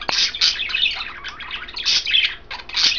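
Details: Three pet budgerigars, green, blue and white, caged indoors and eating kale; dense chattering chirps and squeaky warbles fill the room, bursting in clusters with brief pauses.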